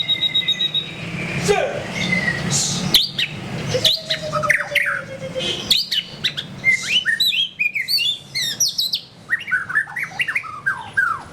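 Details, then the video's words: Energetic song from a white-rumped shama (murai batu): scattered clicks and a long flat whistle give way to rapid cascades of looping, chirping notes, then repeated slurred whistles. "SUARA BURUNG : Pilih Murai Batu Gacor"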